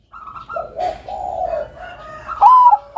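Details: Bangkok perkutut (zebra dove) in full song, used as a master recording to train doves: murmured low cooing phrases, then a loud rising note trailing into clipped coos at the end.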